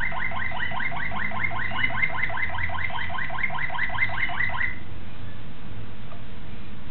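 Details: Young Malinois Waterslager canary, 2009, delivering a fast, bubbling rolled trill of repeated liquid notes for nearly five seconds, then stopping, leaving only a low background hum.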